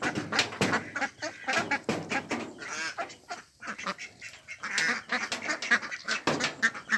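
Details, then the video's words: Pond ducks, including Pekin ducks, mallards and Mandarin ducks, utter drawn-out, honking nasal quacks mixed with shorter harsh calls, calls coming in scattered groups. "Ducks Quacking"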